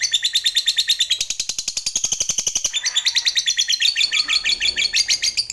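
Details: Lovebird fighter singing a long ngekek to stimulate other lovebirds: sustained shrill, grating chatter of quick repeated notes, about three per second, changing texture near the middle and running throughout.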